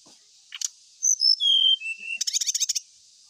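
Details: Ashy tailorbird song meant to stir other birds into singing: two soft clicks, a descending series of pure whistles, then a fast rattling trill, with steady hiss behind.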